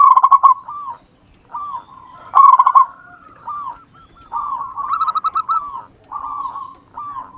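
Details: A wild local zebra dove sings energetically as a lure bird, mixing quick stuttering coo bursts with drawn-out descending coos and short pauses, all clear against a quiet background.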